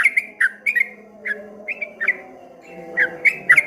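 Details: Streak-eared bulbul singing in the rolling 'ropel ngombak banyu' style: scattered short liquid whistled notes near the middle pitch, dipping and rising, with pauses between bursts over a faint low steady hum.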